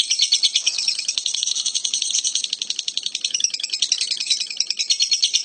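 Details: The lovebird keeps up a shrill, jangling chatter of fast pulses at a high pitch, barely pausing and growing slightly busier toward the end.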